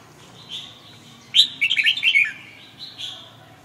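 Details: Red-whiskered bulbul singing a quick run of bright, chirpy whistled notes, rising and falling around the middle, with softer scattered notes before and after against a low background hum.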